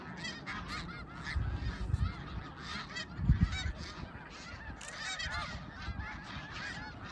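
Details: Middle Creek, 2022: a big gathering of snow geese clamouring together, countless high nasal barks layered into a ceaseless wall of sound, with low rumbling swells around the second and third seconds.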